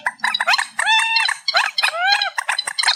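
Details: Amplified reed warbler song with quick harsh chatter broken by drawn-out, slightly rising harmonic whistles, all packed tightly together.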